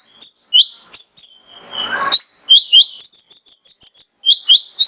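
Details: Mangrove whistler male singing energetically as a stimulus for other birds: high piercing whistles and upward-flicking notes, a short scratchy rustle midway, then a quick run of evenly spaced thin piping notes.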